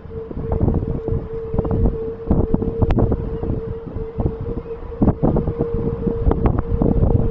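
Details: Wind buffets the microphone over a steady low hum and rumbling traffic or train noise, with scattered clicks and knocks.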